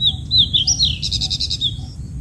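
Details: Black-headed bulbul nestlings begging while being fed: wavering, high whistled chirps rise into a rapid, buzzy, pulsed trill in the middle, then taper to softer tweets, with a low rumbling background.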